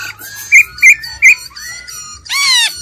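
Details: Old wild-type laughingthrush voice used to excite birds, with female trilling: clear whistled notes, three loud bright chirps in quick succession, then a broad rising-falling swept note with rich overtones.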